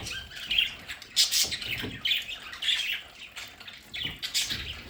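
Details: Domestic budgies at home in their play area, giving scratchy chattering squawks and short chirps in uneven bursts, several birds calling over one another.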